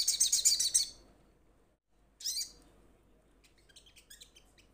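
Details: A young sunbird calling to companions: a loud rapid chattering burst, then a single sharp high note. Faint scattered high chips follow in the background.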